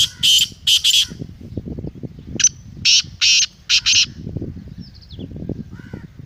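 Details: Black francolin (kala teetar) with a short two-note start, then a grating four-note phrase, all harsh and buzzy over a low rumbling background.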